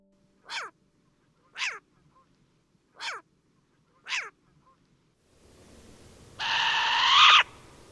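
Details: Short-eared Owl (Asio flammeus), a European owl, gives four harsh, hoarse, downslurred barks about a second apart, then a long rasping screech, over background hiss.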